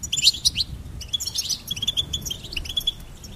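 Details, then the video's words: Short burst of goldfinch song: sharp, bright, upward-sweeping chirps followed by a run of quick twittering notes. "Charming Goldfinch Peep"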